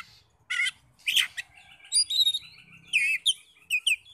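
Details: Oriental magpie-robin lure song meant to provoke rival birds to sing back: scattered harsh rasping notes followed by bright, high whistled phrases with short gaps between them.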